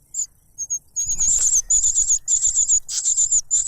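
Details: Cuckoo chick clamouring for food from its foster parent, later silenced with a butterfly; a few isolated high squeaks build into a continuous, wavering, shrill begging stream with brief wing flutter.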